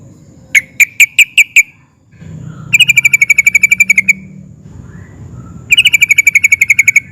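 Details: Excited sooty-headed bulbul singing ngeplik and ngerol to make other bulbuls answer; a short series of spaced sharp notes opens, followed by two long fast rolling trills, with a soft low drone between.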